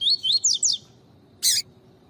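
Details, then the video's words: Double-collared seedeater tui tui song for warming up other birds: four fast rising whistles over a low hiss, followed by a brief loud broadband burst. "COLEIRO TUI TUI PARA ESQUENTAR COLEIRO, MELHOR TUI TUI PARA MESTRE PAPA CAPIM"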